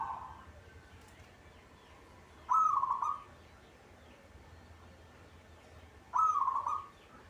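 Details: Local zebra dove in a cage, in eager song, giving rapid trilled cooing phrases about three and a half seconds apart, with quiet background noise between them.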